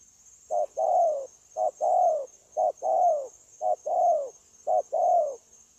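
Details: Captive decoy spotted dove kept for trapping, recorded 9 January 2024, cooing in an unbroken style: low hooting pairs, a short note then a longer falling one, repeated about once a second, over a steady high insect-like hiss.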